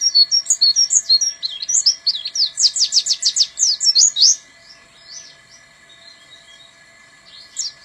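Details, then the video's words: Buxton's white-eye singing: a rapid run of high, sharp chirps and twittering notes, densely packed for about four seconds, then falling quiet apart from a faint later note; steady electrical hum beneath. "BURUNG PLECI BUXTONI (TEMBAKAN BURUNG KENARI)"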